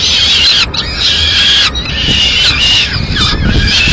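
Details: Female peregrine falcon in Madrid, 30 April 2016, arriving with pigeon remains for a late snack; harsh, drawn-out wailing calls repeated in short bursts, under a constant rumble of wind or traffic.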